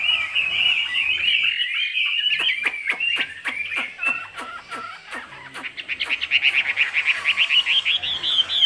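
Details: Caged Chinese hwamei in 'cao cầu' song: a fast warbled stretch opens, then sharp clicking sounds break in, before a quick, rising burst of repeated bright whistles closes the passage.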